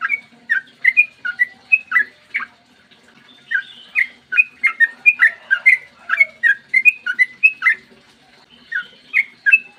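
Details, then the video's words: Clear morning 'ropel' song from a sooty-headed bulbul, used to coax other bulbuls to sing; lively whistled notes in fast runs separated by short pauses, slurring up and down, over a gentle low hum. "trucukan gacor ROPEL PANJANG buat pancingan trucukan agar bunyi"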